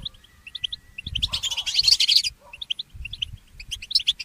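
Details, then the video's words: Early-morning goldfinch mule giving scattered high chirps with a short, dense, buzzy twittering burst in the middle, over low rumbling background noise. "The inspiring Motif of the Mule Goldfinch"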